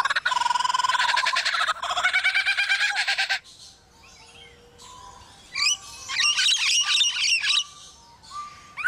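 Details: Construction noises mimicked by a lyrebird, opening with a loud, dense, rapidly pulsed buzzing like machinery, then a pause, soft whistles and a second burst of jerky, rattling notes.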